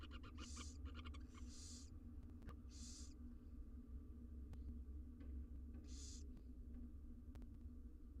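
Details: Wild barn owl nestlings, six in a monitored research nest box, being fed; short harsh hissing screeches in separate bursts, about four over eight seconds, over a steady low hum.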